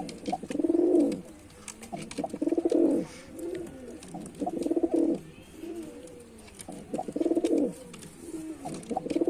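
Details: A performing male white pigeon coos in rolling, throaty phrases, about five swelling bursts spaced roughly every two seconds, each fading into softer murmurs.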